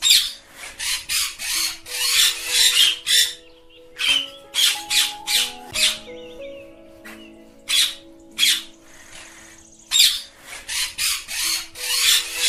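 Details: Ringneck (rose-ringed) parrots playing on a table give bursts of harsh, raspy squawks in rapid runs, with a steady background of music playing under them.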